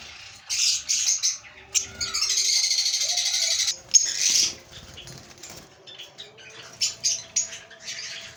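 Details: Breeding lovebird pair producing harsh high chatter bursts and a long buzzy rasp, followed by sparse short chirps; faint low tones and soft thumps in the background.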